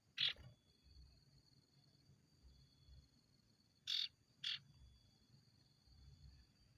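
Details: Ashy tailorbird, a lure recording meant to spur kept birds to sing. Three short, loud, harsh bursts: one near the start, then a pair about half a second apart near four seconds. A steady high electronic tone runs throughout over low rumble.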